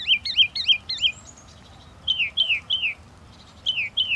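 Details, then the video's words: Singing Northern mockingbird: a quick run of looping high chirps, a pause, then several descending slurred notes, followed by more high notes starting up again. "The song of the Northern Mockingbird"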